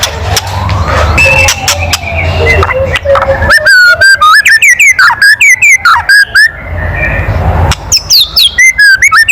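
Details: Provoking kretekan of a White-rumped shama: after a stretch of gliding whistles and noise, a fast regular series of short, bent, buzzy-edged notes, then a second rapid burst at the end.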